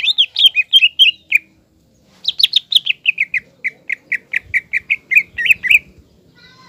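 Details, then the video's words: Lively green leafbird song aimed at provoking a juvenile spotted leafbird into fighting mood: a fast run of bright whistled notes, then an even series of repeated ringing notes. "CUCAK IJO GACOR MEMANCING CUCAK IJO TROTOL AGAR EMOSI DAN PANAS"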